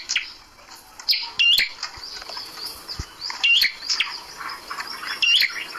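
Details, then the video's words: Caged prinia hung up to tame it quickly, giving sharp high chirps about every two seconds, with fainter chirping and rustling throughout. "Prenjak kepala merah dijantur agar cepat jinak"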